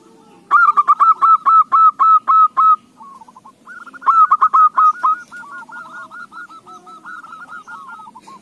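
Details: Zebra dove song played as a lure to get other doves singing: a loud run of short, evenly spaced staccato cooing notes, then a pause and a second burst that trails off into softer, quicker notes.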